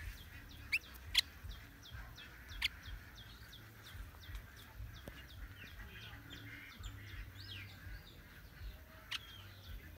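Sooty-headed bulbul: a steady stream of short, bright chirping notes, several each second, with a few sharp clicks and a low background rumble.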